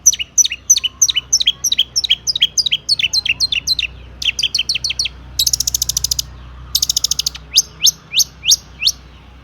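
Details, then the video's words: Long-tailed shrike in energetic full song with mimicked fill-in phrases, meant to provoke other shrikes into singing. A fast run of sharp downslurred whistles gives way to two dry rattling trills, then slower clear whistled notes. "burung cendet gacor ISIAN AMPUH untuk PANCINGAN CENDET AGAR BUNYI"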